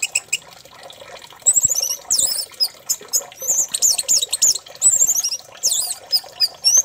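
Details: Orange-headed thrush lure song for prompting another thrush to sing: a string of very high, thin, wavering whistles and chirps, fast and jumbled, in close runs after a few quiet opening notes.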